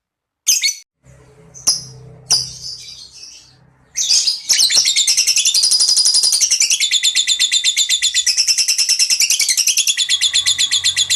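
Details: Lovebird replying with a long 'ngekek' trill: a few sharp separate chirps, then a sustained rapid high chattering rattle that builds and keeps going, over a faint low background hum.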